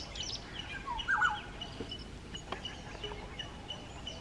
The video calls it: Black-hooded oriole call